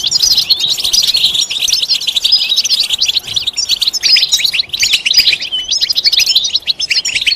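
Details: Goldfinch mating-readiness song in setseta style, played to make a silent male sing: loud, dense, scratchy twittering with rapid chips and buzzy notes, unbroken and energetic throughout.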